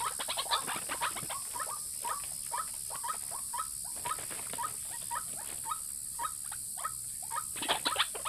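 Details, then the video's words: White-breasted waterhen lure call meant to attract males and females: harsh croaking notes repeated about twice a second at a mid pitch, with louder clustered bursts at the start and end, over a steady high hiss. "pikat burung ruak ruak jitu memikat jantan dan betina"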